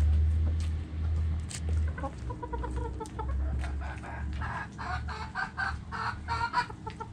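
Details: Backyard chickens: a run of soft, low clucks builds into a busier burst of overlapping clucking from several hens, with a steady low rumble throughout.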